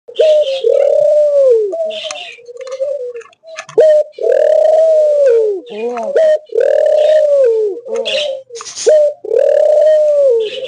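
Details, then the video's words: Australian dove giving long, loud, drawn-out coos, each swelling and falling in pitch, repeated with short gaps across the recording, with brief higher chirps between some coos. "অস্ট্রেলিয়ান ঘুঘু পাখির ডাক"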